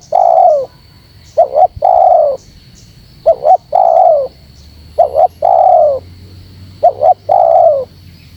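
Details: Spotted dove lure call to excite wild doves. Five rhythmic phrases mix quick double notes with long, mellow descending coos, over a low rumble and a constant high-pitched whine.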